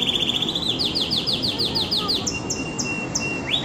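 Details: Singing canary: a fast low trill, then a run of crisp downward-swept notes repeated roughly five times a second, a few spaced high chips and a long thin whistle ending in a quick upturn.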